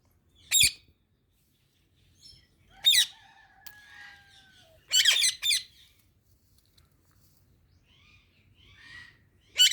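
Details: Two pet parrots eating mango give short, harsh, broadband squawks in separate bursts a few seconds apart, with a double burst near the middle and faint chatter between them.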